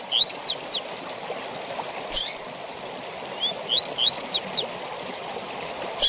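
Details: Double-collared seedeater tui tui song used to teach captive birds; short bright rising whistled notes in quick bursts of three or four, repeated after pauses, over a steady hiss like running water.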